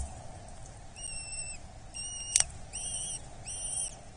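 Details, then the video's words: At a Dorset nest on 8 July 2024, a young Eurasian hobby being fed gives four drawn-out, thin whistled cries in about three seconds. A sharp click falls between the second and third cries, and a soft hum runs underneath. "Dorset Nest (Falco subbuteo) Kobuz - Karmienie maluszka"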